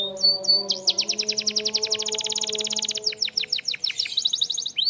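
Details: Canary singing for training: brief whistled slurs lead into a long, steady, rapid trill of over two seconds, then looser sweeping notes. Low, sustained background music is audible.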